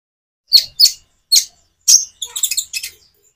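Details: Common iora song made with natural pauses, meant to prompt birds that rarely sing into answering: a few sharp high chirps spaced by silences, then a quick burst of rapid twittering notes.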